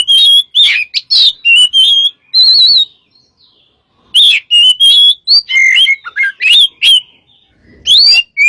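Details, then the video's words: White-rumped shama, a caged bird used as a lure, singing varied ringing whistles and fast trilled notes in two long bursts separated by a brief quiet gap. "burung kacer gacor untuk pncingan"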